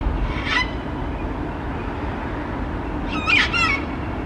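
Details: Sulphur-crested cockatoo perched high on a street light in Melbourne, calling softly: two short harmonic squawks about three seconds apart, the second a quick double note, over steady low city traffic rumble.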